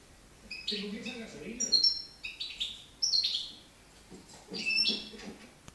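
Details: Young European goldfinch from 2013 in Girona, beginning to sing: short bright twittering and chirping phrases in bursts with pauses between, over a low murmur resembling a human voice.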